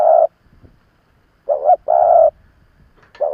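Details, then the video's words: Decoy spotted dove calling to lure rival birds. One long coo ends, then after a pause comes a wavering short note and a sustained deep coo before the next phrase starts. "Tiếng chim cu gáy mồi già kích bổi"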